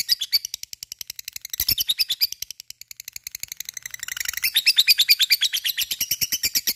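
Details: Lovebird singing ngekek, a chattering song intended to trigger other lovebirds to sing: rapid high scratchy notes in runs, with a brief softer gap early on, then a louder, denser stretch.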